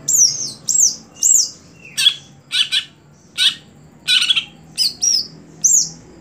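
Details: A caged greater green leafbird, trained for singing contests, opens with three quick arched whistles, then gives a run of harsh scratchy buzzy notes and ends with more thin whistles, against a low background hum.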